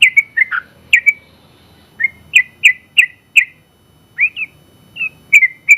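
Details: First-place sooty-headed bulbul giving scattered clusters of bright chirped notes with short pauses between groups, each a quick rising-then-falling bubbly whistle, sounding looser than a continuous run, over faint low noise.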